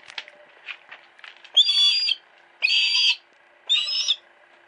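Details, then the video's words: A captive female hawk at a private house screeches three times, each cry harsh, high and drawn out for about half a second, about one second apart, after a few soft clicks and chirps. "鷹の鳴き声 Cry of a hawk"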